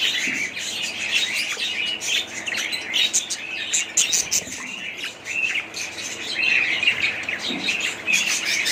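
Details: Continuous twittering from budgerigars, quick high chirps and clicks layered with brief whistles, a few louder squeaks standing out late on.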